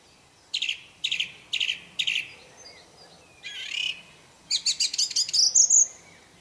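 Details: Wild orange-banded thrush singing an isian (filler) song: four evenly spaced, buzzy harmonic notes about half a second apart, then a rising warble and a quick run of sharp chattering notes ending in a high thin squeal, over a quiet background.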